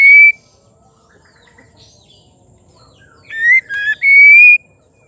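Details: Song of a female white-rumped shama, played to provoke males: a brief loud whistle, a quiet pause, then a rising whistled phrase ending on a long sustained note.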